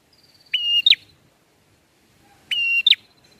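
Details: Bar-winged prinia ngalun song used as a lure for catching birds: two clear phrases, a level whistle then an abrupt falling note, spaced about two seconds apart over quiet background.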